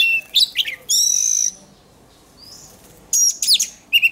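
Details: Oriental magpie-robin singing in contest style while being trained to build a strong voice. Varied bright whistled notes and sweeping phrases, with a sustained high trill early on, a quiet gap in the middle, then more quick whistled sweeps.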